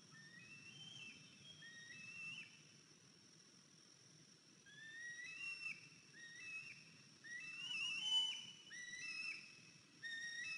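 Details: Eagles at the nest on the morning of 14 April 2023, when a 103-day-old fledged eaglet returned with a limp; thin, high whistled notes in broken series, some rising, some slurred, over a low steady background hum.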